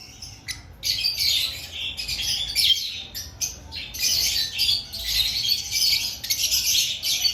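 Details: Before breeding season, lovebirds keep up loud, rasping, high chatter and squawks in uneven bursts, with many voices overlapping almost without pause.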